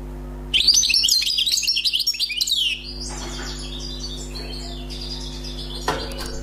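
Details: Wild-caught European goldfinch, recently trapped, pours out two seconds of fast, bubbling, tinkling notes, followed by softer scattered twitters and a steady low hum.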